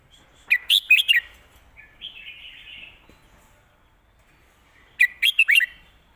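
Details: Red-whiskered bulbul performing 'master song' phrases: a loud burst of four rapid, ringing whistled notes, a soft thin warble, a pause, then a second four-note burst matching the first.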